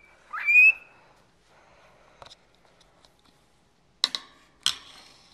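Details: Pet cockatiel, a 14-year-old male kept indoors and described as never quiet, gives one short upslurred whistle, followed by scattered clicks and taps in a quiet room.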